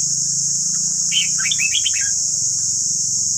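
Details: Red-whiskered bulbul, white-cheeked form, giving one rapid phrase of five or six chirpy whistled notes stepping up and down, used for voice training of captive birds, over a steady high hiss and a low hum.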